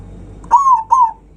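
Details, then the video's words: Zebra dove giving a loud provoking song aimed at rivals: two purring coos, the first longer and slightly arched, the second shorter, against quiet low hum. "Perkutut suara kencang, bikin lawan naik emosi"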